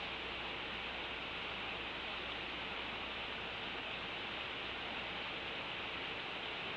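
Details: Constant even hiss of background noise with no animal call heard.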